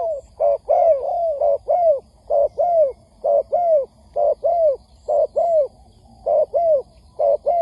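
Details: Trapping lure of a spotted dove calling to rouse wild doves: a steady run of about a dozen paired coos, a brief note then a fuller descending one, repeated roughly every half second to second, clear over low hum.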